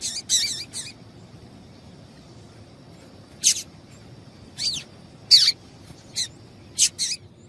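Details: Female Double-collared seedeater giving calls to excite a male into singing: a quick burst of three chirps, a pause of two seconds, then scattered single high, sharp chirps, over faint hiss.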